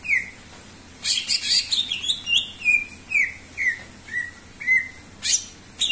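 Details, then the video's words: Energetic gacor singing from a greater green leafbird, meant to prompt other birds to sing: a jumble of bright chirps, then a series of clear descending whistles repeated about every half second. "sura burung cucak ijo gacor cocok untuk pancingan"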